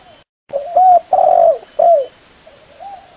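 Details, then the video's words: A spotted dove gives soft, low coos in three swelling notes of about half a second each, then a fainter trailing coo, over a steady faint hiss; used as a lure call to prompt other doves to answer. "SUARA PANCINGAN BURUNG TEKUKUR BLOROK /LEOPARD SUPAYA CEPAT NYAUT IKUT BUNYI"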